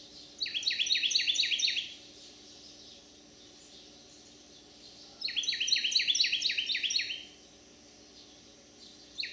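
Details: A resident male Carolina wren, singing as he does daily in a backyard in Manchester, St. Louis County, Missouri, on 30 July 2022 and probably vocalizing for a mate, gives two loud bursts of about eight quick ringing phrases each over a faint hum.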